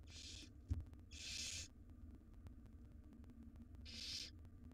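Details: Wild barn owl nestlings in a nest box, begging as their mother feeds them a jird. There are three long, harsh hissing screeches, each about half a second, over a faint steady hum.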